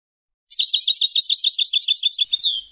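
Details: Palestinian European goldfinch giving a long rapid trill of rhythmic two-tone chirps, around eleven per second for nearly two seconds, finishing with a higher sliding buzzy note.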